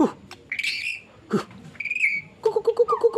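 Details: White-rumped shama (murai batu), a hobbyist's songbird, delivering its 'nembak' singing style: scattered short whistled phrases and sharp chips separated by pauses, ending in a quick series of low, evenly spaced clucking notes.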